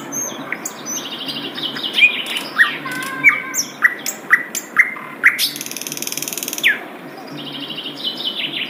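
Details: Wild Asian brown flycatcher giving a melodious song of crisp, high chips spaced about half a second apart, broken by a brief buzzy, rasping phrase before quieter notes resume.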